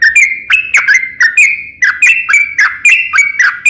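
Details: Long rapid song of a yellow-vented bulbul, used to coax other bulbuls into song: crisp whistled notes sliding down, delivered in a quick, steady run.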